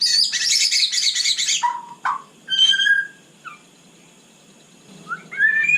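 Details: White-rumped shama singing at night: a long harsh rattling chatter, a few low slurred whistles, quiet, then soft rising whistles returning at the end.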